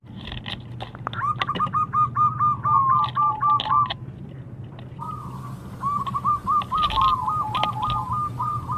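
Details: Zebra dove song meant to provoke rival doves into answering: two long runs of rapid, slightly rising whistled notes near one pitch, each phrase about three seconds, with clicks and knocks between.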